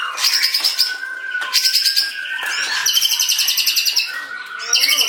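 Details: White-rumped shama singing: dense rapid rattling trills and sharp chattering bursts alternating with clear whistled notes, continuous and busy, with other birdsong mixed in.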